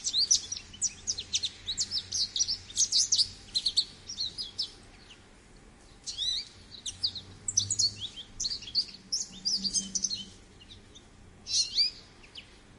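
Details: American goldfinch singing a long, rambling run of high twittering and sweet warbled notes in bursts separated by short pauses, over a steady low background hum.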